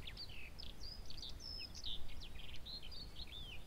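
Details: Whinchat (Saxicola rubetra) while hunting in the Lubliniec Forests, giving a quick, scratchy run of short chirps and thin whistles, high-pitched and tumbling over each other, above a steady low rumble of wind.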